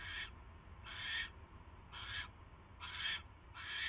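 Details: Harsh wheezing hisses from a barn owl nest at 10:22 PM, 22 January 2016, when a mouse is brought: five broad bursts of varying length spaced about 0.8 seconds apart, low hum behind.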